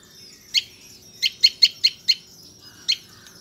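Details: Tailorbird chicks being fed by their parents: a series of sharp, high chirps, several quick notes bunched together then a final chip after a short pause, over a quiet background.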